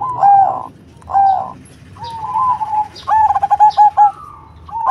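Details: Cemani zebra dove singing with a strong, full voice: two round coos, then a wavering drawn-out note and a quick stuttering run of clipped, bubbling notes, ending in a long rolling tone.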